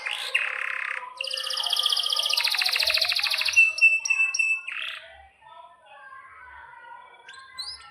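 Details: Vigorous canary song with long rolls: a harsh buzzy note, then a sustained rapid trill, short repeated high notes and a final slur before the singing fades into quiet faint chirps.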